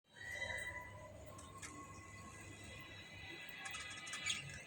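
A group of budgerigars chatters with warbled, buzzy chirps and brief sharp squeaks.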